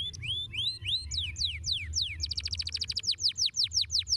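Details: Training song of a canary meant to help a young canary learn to roll: rising then falling whistled slurs, breaking into a quick rolling series of sharp descending notes. A low hum sits beneath.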